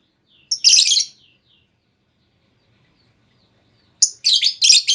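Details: Female lovebird lure call to draw a long trilling reply: a harsh, buzzy burst of chirps, about three seconds of silence, then a rapid chattering run of scratchy high notes.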